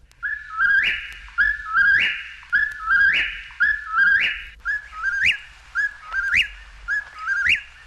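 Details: Eastern whip-poor-will (Antrostomus vociferus) song: a loud, whistled three-part 'whip-poor-will', the last note sweeping up sharply, repeated about once a second over a quiet background.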